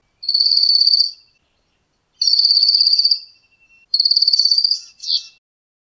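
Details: Black Cuckooshrike, a difficult entry in a Southern African bird call quiz, giving three long, high, insect-like buzzing trills, each about a second, spaced roughly two seconds apart, the last ending in a short note.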